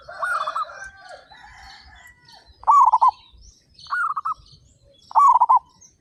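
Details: Zebra doves, local birds among 35 kept together, sing loudly and eagerly. Four rolling, stuttered coo phrases of about five beats come at roughly one-second gaps, alternating softer and louder voices, like two birds answering each other.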